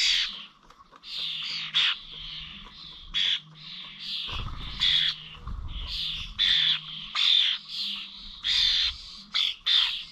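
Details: Common starlings at the Corby Old Village bird feeders on 21 November 2023, giving harsh, buzzy, rasping squawks in quick bursts, often overlapping and repeated through the clip, with a faint low hum and a brief rumble midway.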